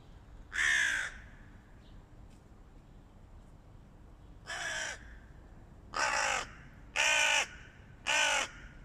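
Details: A flock of hooded crows battling a stray cat gives harsh, raspy caws: one, a pause of several seconds, then four more in quick succession, each about half a second long over a quiet background.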